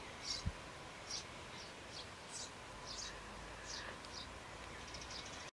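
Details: Nestling Eurasian tree sparrows in a nest box, a day before they fledged; a steady string of high, hissing, slightly buzzy calls, one or two per second, with a single low knock early on and a quiet background.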